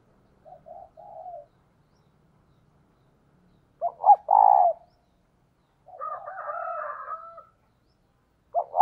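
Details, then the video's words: Spotted dove used as a decoy to lure wild doves. A soft coo phrase, then a loud phrase of clipped notes and a falling coo, followed by a harsher, broader rasping sound and another coo beginning. "Cu Gáy Mồi Thúc - Gáy Gọi Kích Bổi Mới Nhất | Chim Cu Mồi"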